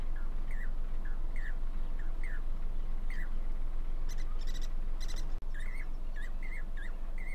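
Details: Jacobin cuckoos on a wire at Damdama lake, India, in monsoon season, four birds communicating. Ringing, falling notes repeat in a steady series, broken midway by bursts of rapid clicking notes before the calling resumes over continuous rushing noise.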